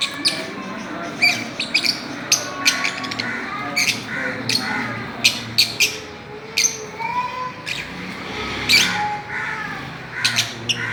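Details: Several Fischer's lovebirds kept as pets, playing on a swing, give short sharp high chirps and squawks scattered irregularly through the recording, with faint background hum and occasional lower tonal sounds.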